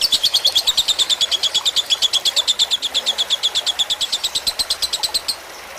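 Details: Lovebird singing in the fighter style, from a tutor recording made with trickling water: a long, fast run of sharp, high chattering chirps at an even pace that stops abruptly near the end, over a soft hiss.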